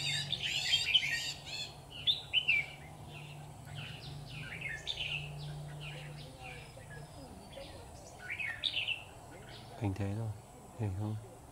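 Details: Red-whiskered bulbul at a trapping site with a decoy bird: short, bright warbled phrases, each rising and falling, repeated every second or two throughout. Low male voices talk briefly near the end over a steady background hum.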